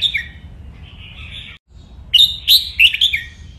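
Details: Red-whiskered bulbul in a cage, singing the playful riffing style used for song training: a soft slurred phrase, a brief pause, then a lively burst of loud, sharp chirped notes in quick succession.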